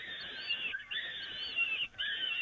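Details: Peregrine falcons being fed on the Evoluon nest grating, 13 May 2018; two bursts of wheezy, high screaming, each with a short arched squeal, split by brief silences.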